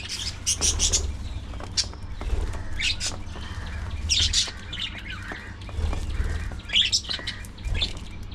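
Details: Budgies at early morning feeding time keep up busy, overlapping chirping. Sharp high notes come in uneven bursts, mixed with soft warbles and wing flutters.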